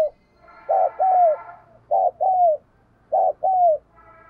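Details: Decoy spotted dove cooing to stir up and provoke wild doves, a keen and frequent caller; three loud two-part phrases, each a short throaty note then a longer falling coo, about one phrase a second, in a quiet background.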